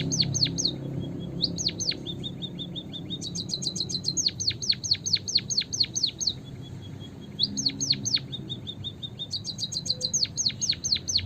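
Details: Eurasian tree sparrow singing persistently on a trapping lure: repeated cycles of thin rapid trills and runs of piercing down-slurred whistles, with soft short notes between phrases over faint background noise.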